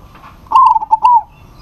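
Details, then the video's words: A single phrase from a local zebra dove calling a rival: a bright, fluted coo broken into four quick warbled notes, ending in a slurred falling tail. "PERKUTUT LOKAL GACOR MEMANGGIL LAWAN PASTI NYAUT"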